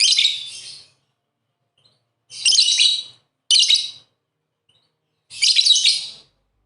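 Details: Pair of pet lovebirds chattering, four bursts of harsh, rasping high chirps separated by pauses of one to two seconds.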